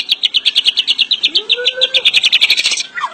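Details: White-rumped shama giving rapid, evenly repeated high chips, about eight a second, with a soft rising whistle and a brief downslurred note near the end.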